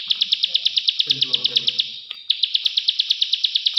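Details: Plain prinia in Indonesia giving its clicking call; rapid sharp high clicks about eight per second, broken by a short pause with a faint low voice, then the clicking resumes evenly.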